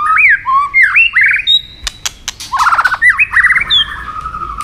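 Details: Stimulated white-rumped shama in fighting song, tail flicking: loud looping whistles, upslurred notes, a rapid rattling trill and sharp clicks, phrases following closely.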